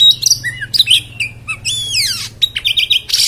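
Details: Oriental magpie-robin (kacer) in rough, harsh 'beset' song: short whistles, a burst of downward-sweeping buzzy notes, then fast wavering trilled phrases, with a low hum underneath.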